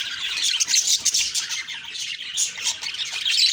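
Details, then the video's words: Budgerigars chirping on a morning of October 2, 2023: dense overlapping high chatter and squawky notes from several birds, continuous with no pauses. "Beautiful morning birds chirping sounds/Budgie sounds"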